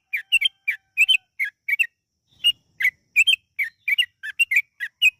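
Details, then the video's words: Yellow-vented bulbul giving long ropel-style song meant to coax bulbuls into singing: clusters of liquid, chirpy whistled notes in pairs and triplets, one short gap, then steady bubbling resumes. "PANCINGAN TRUCUKAN AGAR BUNYI burung TRUCUKAN GACOR ROPEL PANJANG"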